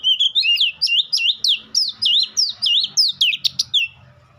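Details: Nonstop bright song from an Oriental magpie-robin: about fifteen rapid, looping whistled notes that swoop down and flick up, fading at the end. The singing is claimed to make any other magpie-robin answer.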